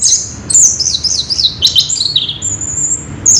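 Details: Orange-headed thrush in nonstop "ngerol" rolling song: rapid high-pitched chattering phrases tumble and slide downward, then a long thin sustained whistle and a brief final burst.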